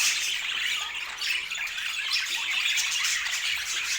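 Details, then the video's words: Flock of budgerigars keeps up nonstop chatter: overlapping high warbling, scratchy squeaks and quick chirps form a thick, busy wall of bird voices. "O Som dos Periquitos"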